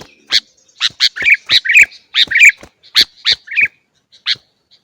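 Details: Lively sooty-headed bulbul chatter, used to coax caged bulbuls into frequent singing: quick runs of bright, squawky notes, some paired, rising and falling in irregular bursts, then thinning to a few isolated chirps.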